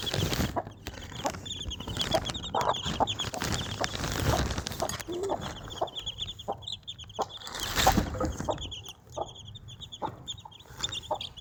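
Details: A Desi hen with her four chicks. Rows of high chick cheeps run through the clip with occasional low clucks, half buried under loud rustling and handling noise.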